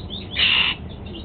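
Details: Single loud, harsh, tonal call lasting under half a second from a pet Golden-fronted Leafbird while it eats apple for breakfast.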